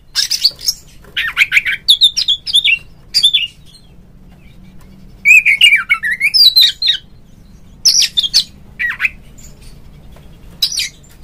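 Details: Oriental magpie-robin song played as a lure to provoke a kept rival: scattered bursts of harsh scratchy notes and short whistled slurs separated by several silent gaps.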